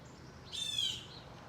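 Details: A Blue Jay, said to have been harassing other birds in a garden sanctuary, gives one harsh, slightly falling jay note lasting about half a second, over a quiet outdoor background.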